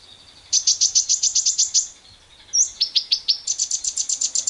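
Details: Lovebird in long ngekek song, a lure to stimulate other lovebirds, among wild birds: a sustained shrill rattle of rapid even pulses, a short gap and swoop, then further high chattering runs to the end.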